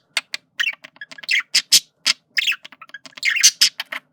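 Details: Pet male parakeet flirting, jumbled chatter of sharp clicks, squeaky chirps and brief harsh buzzes in irregular quick bursts.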